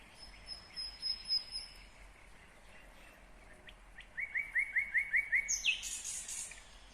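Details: Nightingale song recorded in Kyrgyzstan in 2020: long, thin, very high drawn-out whistles, a quiet pause, then a quick series of seven rising slurred notes ending in a harsh high burst, with soft background hiss.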